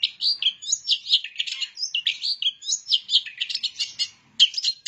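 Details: Dense, continuous warbling from a vigorously singing long-tailed shrike, including imitated bar-winged prinia notes. Quick, jumbled, scratchy chirps and slurs run together with hardly a pause.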